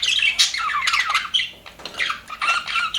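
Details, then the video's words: Budgerigars kept in an aviary, described as happy birds, chattering in a busy flock: overlapping warbled squawks and chirps, rising and falling without pause across three seconds. "HAPPY BUDGIES SOUNDS PART 1"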